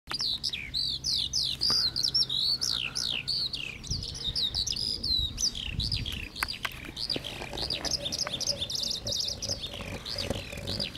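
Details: Eurasian skylark singing over fields in the Las Kabacki Nature Reserve, Poland, on 20 April 2021 in spring: a continuous, rapid stream of high warbled and trilled notes, many slurred downward, with faint low background rumble.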